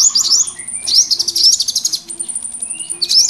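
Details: Rowdy mix of small birds used to lure and trap them, with bursts of rapid high twittering, rising chirps and a steady thin whistle over softer chatter.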